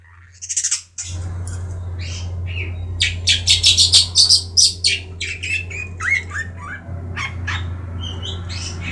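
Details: Three-month-old Madura long-tailed shrike kept caged: harsh rasping notes in a quick series, then sliding whistles and chips, all over a loud continuous low hum.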